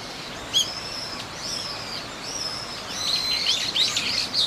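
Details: Eurasian teal on a pond at Tokorozawa Aviation Park, Japan, 19 January 2023, give short, high, clear whistled notes, several birds overlapping toward the end; separately recorded park ambience is layered over a soft background hiss.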